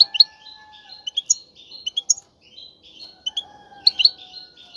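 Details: Male European goldfinch in a cage, singing to push a female toward mating and nesting: soft, quiet twittering with scattered sharp chirps over a faint steady hum.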